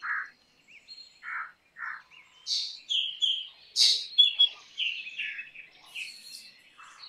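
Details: Black drongo (Dicrurus macrocercus), an all-black forked-tailed bird, singing: varied phrases of short harsh notes and clear whistles, starting with three spaced mid-pitched notes, then a busier run of high chips and ringing whistles.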